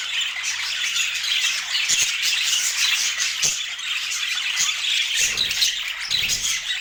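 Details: Budgerigars chirping while eating, filmed in natural light: a dense, continuous flock chatter of buzzy, warbling chirps with no pause, plus a few soft clicks and low knocks near the middle and end.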